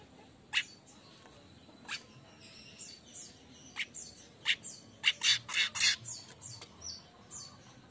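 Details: Streaked weaver in lively morning song: a string of sharp, clicking chips and short high descending notes, irregular at first, then bunching into a rapid cluster of loud ticks near the middle.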